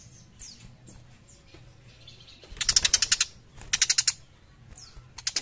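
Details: A young tiger shrike sings in high, chattering bursts of rapid clicking notes, two runs of about half a second each, mixed with thin slurred whistles and sharp rising sweeps.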